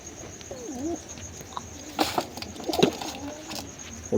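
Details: Pigeons in a small breeding colony loft give soft, low cooing notes among wing flutters and knocks, with a steady high hum in the background.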